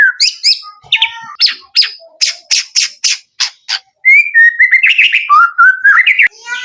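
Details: Male white-rumped shama giving a series of sharp, scratchy staccato notes roughly every third of a second, followed by a warbling run of fluty whistled notes that rise and fall.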